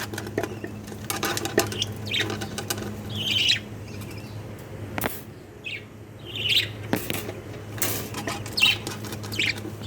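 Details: Jumbo budgerigar chicks, also called king budgies, with scattered rasping squeaks spaced a few seconds apart amid scratching, clicking rustles and a constant low hum.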